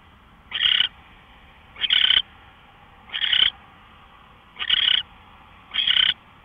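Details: Owl recorded at 5:27 AM, March 24, 2013, repeating short rasping hisses, five bursts at slightly irregular intervals of around a second and a quarter, a faint hum running throughout.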